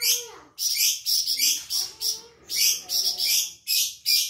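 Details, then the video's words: Sumatran flamboyan bird in full song, an insectivore favoured by songbird keepers as a singing tutor: loud, high, scratchy phrases in short bursts with brief gaps, a faint lower tone underneath. "burung flamboyan gacor"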